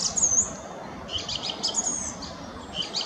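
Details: Song thrush singing, a species known for repeating a short melody about three times and sometimes imitating other birds; a brief burst of high, bright phrases, one sharp opening flourish followed by quieter repeated notes, over a soft rural background hiss.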